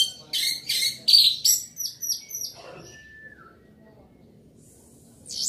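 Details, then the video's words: Loud singing from an orange-headed thrush: a fast run of harsh, buzzy high notes followed by a series of descending whistled slurs, then a thin falling note and near quiet. "Anis merah gacor volume keras"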